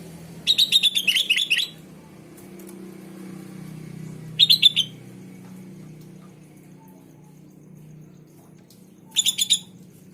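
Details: Sooty-headed bulbul song meant to make other bulbuls respond: a long burst of rapid chattering whistles, then shorter phrases of three to four notes after long pauses, with a steady low rumble throughout.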